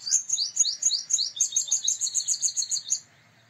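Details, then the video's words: Male purple sunbird delivering rapid high metallic notes, first a few upswept chips, then a fast even ringing rattle lasting about three seconds before stopping abruptly. "Purple Sunbird Sound / Purple Sunbird Song / Purple Sunbird Call /Male Purple Sunbird Vocals, Voice"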